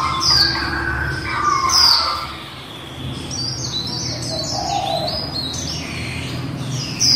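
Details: A female white-eye delivers its líu song: sharp, very high downward-sweeping notes strung into fast twittering phrases, broken by a short lull midway and resuming with busy chatter.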